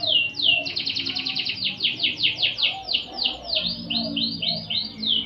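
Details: Master canary song for tutoring magpie-robins: steady repeated slurred syllables in a fast rolling tour, shifting to slower swooping whistled notes, with faint low background noise.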